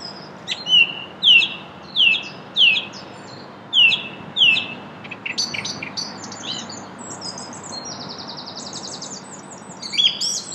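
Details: A song thrush in Brussels, Belgium, in April 2016 sings one clear, down-slurred whistled phrase six times in quick succession, then switches to varied, higher chattering and squeaky phrases.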